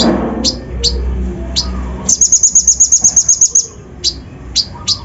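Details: Sunbird (kolibri ninja) lure song packed with imitated phrases to provoke other birds: a few isolated high chirps, a quick ringing trill of about thirteen notes, then more spaced chirps over low background noise.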